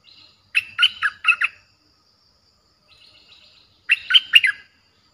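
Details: Streak-eared bulbul giving a fierce-sounding lure song, played to draw in aggressive wild birds: two bright, bubbly phrases of three quick chirping notes each, about three seconds apart, with soft twitters between.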